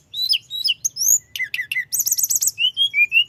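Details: Rolling song of a mountain flowerpecker (tledekan gunung) used to stir up rivals: sharp high tweets and upward-slurred whistles, then a fast stuttering trill and short lower whistled notes.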